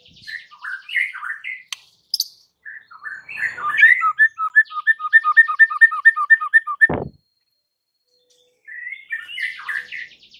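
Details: Provocation song of a white-rumped shama meant to enrage rival birds, with varied whistled phrases followed by a long fast series of evenly repeated paired notes, then a pause and more warbled whistles.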